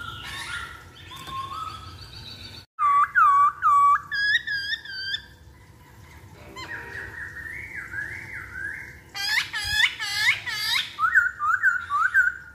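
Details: Masked laughingthrush singing as a lure for other birds. Drawn-out whistles step upward, followed by loud clipped whistled notes in quick series, a level warble, and bright looping notes that repeat rapidly near the end.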